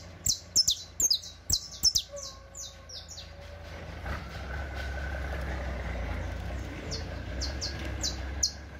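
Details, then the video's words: Saffron finch singing a teaching song: rapid bright, falling chips in a cluster, then a long gap filled with loud engine rumble before a few more chips return. "El Mejor CANTO De CANARIO CRIOLLO Para Enseñar"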